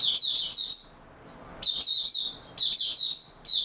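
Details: Caged Oriental white-eye singing on 28 February 2022: loud, high, slurred twittering phrases delivered in three quick bursts about a second long each, with brief pauses between them and a final short note.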